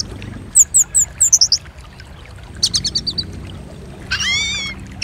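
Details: Orange-headed thrush sounds used to spur other thrushes into song. A run of high, thin, downslurred whistles repeats quickly, then a faster series of sharp notes, and finally a rich, harmonic, wavering phrase lower in pitch. A faint background hum runs throughout.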